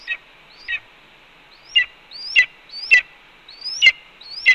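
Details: Nesting red-tailed hawk, 4 May 2013 at 1:29 pm, calling steadily while its mate feeds on a pigeon. About seven rising, whistled slurs, each cut off by a grating downward note, coming roughly every half second to second.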